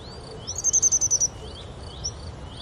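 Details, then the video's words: A grey wagtail at Oukaimeden, Marrakech, Morocco, gives a brief rapid string of about seven high, thin notes, with faint rising chirps of other birds around it. "grey wagtail"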